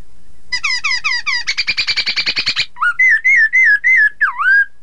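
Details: Chinese hwamei, a training recording to get rival birds to respond: quick descending chip series turning into a rapid harsh trill, followed by five ringing whistles and a dipping swoop.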